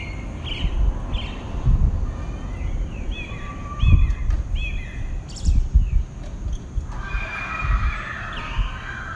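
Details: A single pale-breasted thrush (Turdus leucomelas) in southeastern Brazil sings its dawn song: short, clear whistled phrases at a moderate pace, ending in a busier warbled burst, over heavy low rumbling and thumping noise.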